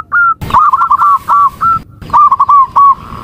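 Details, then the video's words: Zebra dove calling with a loud click at the start: a longer whistled note, a rolling trill of hooked coos, then spaced single notes and a second short trill. "Suara Panggilan Perkutut"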